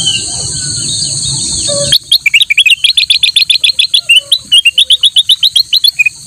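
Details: Black-headed bulbul song used as master material for tutoring other cage birds: a long, fast stream of short sharp chirps repeated several times a second for over four seconds, with a steady high whine behind.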